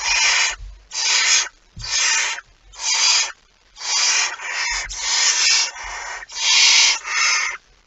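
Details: Barn owl at the nest with prey, 23 September 2019: a run of about ten rasping hiss bursts, the middle ones nearly merging into a continuous breathy screech, with occasional low thumps.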